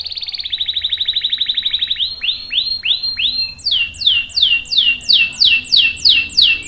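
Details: Singing canary used to coax and train young and stalled canaries. A quick, even trill gives way to slower, repeated downward-curving whistled notes that climb higher and grow louder toward the end.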